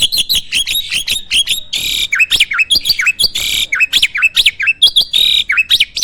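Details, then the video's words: Starling from a bird farm singing nonstop 'isian' phrases: fast bouncing whistles interleaved with three loud harsh rasps, swooping notes dipping and rising, steady dense chatter throughout six seconds. "Burung jalak gacor full isian!"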